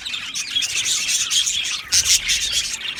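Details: Budgie parakeets in a breeding aviary colony: high, rapid chirps and twittering warbles blend into a constant chorus, with a sharper burst of calls near the end.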